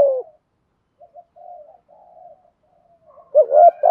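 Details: Spotted dove decoy cooing in thúc gù style: a loud coo ending, then soft, low, fluttering murmurs for two seconds. A strong rising coo follows, and another begins at the end.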